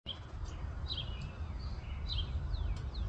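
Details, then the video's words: Eastern towhee in Virginia, USA: short, high chirped phrases of sharp notes that slur downward, with two main bursts about a second apart and softer notes between, over a steady low rumbling background noise. "Eastern Towhee, Virginia USA"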